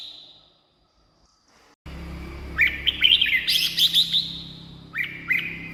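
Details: Red-whiskered bulbul song, played for caged birds to get excited or to lure wild birds; after a brief quiet start, a rapid jumble of sweet chirping notes, then two short whistles, over continuous low hum.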